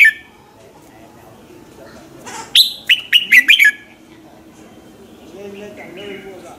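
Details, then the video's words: Red-whiskered bulbul morning song, used as a lure bird to stir other bulbuls into singing; one short burst of four or five loud whistled notes near mid-clip, with faint warbling from another bird at the end. "luyện giọng chào mào hót buổi sáng"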